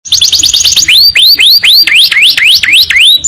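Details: Canary song used as a training recording, long tenbakan style: a fast run of short rising whistles, then looping upward-sweeping whistled notes repeated about four times a second, clean and loud.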